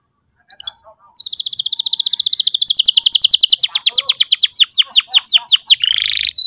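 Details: Canary singing as a lure for teaching a young bird: a few soft notes, then a long rapid trill of buzzy repeated notes that slows into separate descending chips, ending in a brief burry note.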